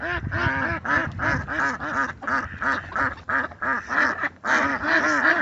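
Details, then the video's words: Several ducks in their natural setting give loud, nasal quacks in rapid overlapping series, roughly three per second, the calls rising and falling in pitch with a few short pauses between bursts. "Sonido de Patos"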